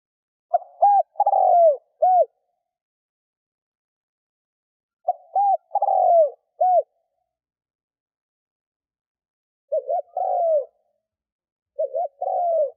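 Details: Lure spotted dove cooing to draw in wild doves: low, husky three-part coo phrases repeated about every four to five seconds, with silence between.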